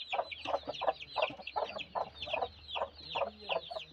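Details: Broody hen giving a steady run of short, hoarse clucks, about three per second, each a brief clipped note repeated in a rolling, fairly regular rhythm with no other clear sounds.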